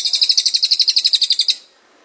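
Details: Cililin in a song-training recording, described as singing continuously: one quick run of about fifteen sharp, high, regularly repeated notes over one and a half seconds, then it fades to quiet.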